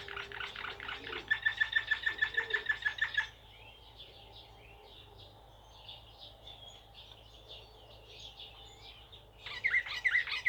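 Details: Serbian blue canary, Slavujar song type, with a loud fast trill of identical notes that fades to soft twittering, then a renewed burst of loud notes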